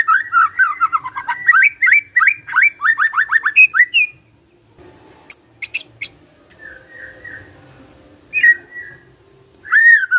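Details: Magpie-robin song meant to provoke singing in other birds: quick, rhythmic whistled phrases for about four seconds, then sparse high chips and soft warbled notes.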